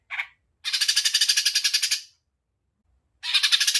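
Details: Cucak ijo mini, the greater green leafbird, in agitated 'tembakan' style: a short harsh note, then a fast buzzy rattle of about twenty rapid repeated high pulses, silence, and another rattle starting at the end.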